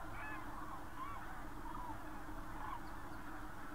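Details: Many Common cranes calling together near Berlin, Germany, 24 October 2015. Several bugling, slightly rising trumpet notes overlap in a busy chorus above constant low background rumble.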